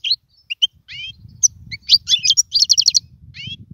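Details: European goldfinch song for training chicks: scattered high chirps and upslurred whistles building into a short rapid trill, over a low rumbling background noise.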